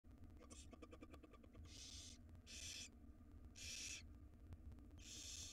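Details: Wild barn owl nestlings in a nest box beg as their mother feeds them a jird; a run of fast clicks opens, then harsh hissing bursts about half a second long recur every second or so over low steady hum.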